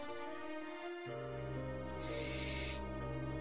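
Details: A barn owl at night gives one harsh, hissing screech lasting under a second over steady, soft background music.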